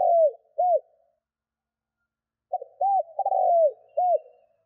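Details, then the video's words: Spotted dove call for attracting wild birds: the tail of one coo phrase, then after a two-second pause a complete phrase of short note, arched coo, long rolling falling coo and final arched coo. "Tiếng CHIM CU GÙ GÁY KÍCH BỔI NHANH GÁY"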